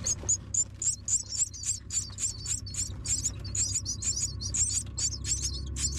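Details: Myna chicks, fed by an adult bringing food, give a rapid stream of thin, high, squeaky begging calls, two or three each second, over a low background rumble.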